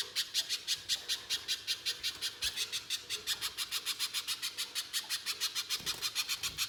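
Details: [5, 'Lure recording of a little spiderhunter singing loudly: an unbroken train of shrill, clipped high notes repeated several times a second, evenly spaced throughout.']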